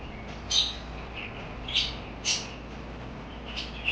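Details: High parakeet chirps, four or five sharp squeaky bursts spread unevenly over four seconds, with quieter twitters between them and a low steady hum.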